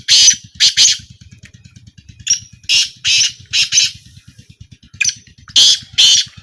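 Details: Black francolin calling in a small 2025 trial: spaced groups of coarse, grating notes, each burst of two to four, separated by quiet gaps, with a steady low mechanical pulse in the background.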